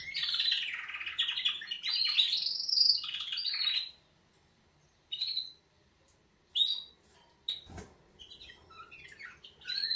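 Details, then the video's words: Canaries give a wake-up song: a bright, rapid run of trills and chirps for about four seconds, then shorter bursts of high twittering between pauses. "Kanarienvögel Weckgesang |||Canaries wake-up song"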